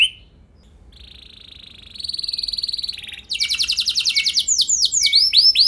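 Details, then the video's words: Singing canary used as a training lure to make other canaries sing with long rolls: a short note, a steady buzzy trill, then rapid repeated sweeping notes growing louder. "Pancingan Burung Kenari Ampuh Bikin Kenari Lain Auto Gacor Ngeroll Panjang | Canary Singing"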